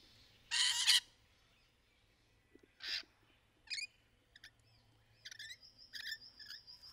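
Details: Rainbow lorikeets during courtship behaviour in trees: one loud, harsh screech, then softer short chirps and a thin high whistle against low background noise.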